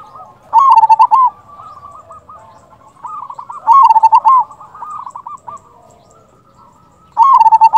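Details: Local zebra dove song meant to lure other doves into replying: three loud bubbling coo phrases about three seconds apart, each trailed by quieter repeated soft coos, mild background hiss.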